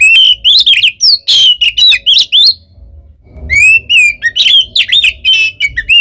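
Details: Fighting song of an oriental magpie-robin used as a lure to anger rival birds: piercing whistled notes and scratchy chirps in quick phrases, a brief pause near the middle, then more sharp slurred whistles.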